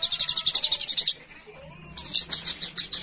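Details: Sogok ontong, a spiderhunter that feeds on nectar, calling its companions with a fast, even string of high chirps lasting about a second, then a quiet gap and a second, looser run of sharp notes.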